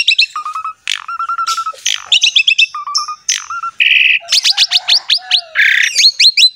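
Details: Asian pied starling song played to stimulate a silent bird: short level whistles repeated in runs, a harsh buzz, then a fast series of sharp upslurred notes, lively and unbroken.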